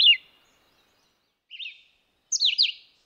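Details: Red-eyed vireo song in three quick phrases: a falling slur, a soft wavering note, then a louder doubled slurred phrase, all clear and unaccompanied.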